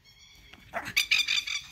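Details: Plovers attack: a quick burst of harsh, scratchy, high calls, several in under a second, over a faint steady high whine in the background.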